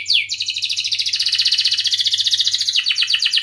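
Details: Singing canary, played as a lure for young canaries learning song and for canaries that have stopped singing. One steep falling whistle opens a fast, even rolling trill of about ten notes per second that holds steady throughout. A low hum sits beneath.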